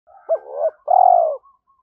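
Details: Spotted dove lure coo used to train young captive doves to coo: two short arched notes then a long level cooing note, all low and soft, clean with no other sounds.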